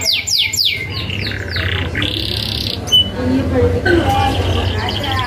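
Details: Energetic canary singing a rolling 'ngerol' fill phrase meant for young canaries to learn: quick high downslurred notes, then a flat buzzy tone and a broken, softer stretch, over low background hum.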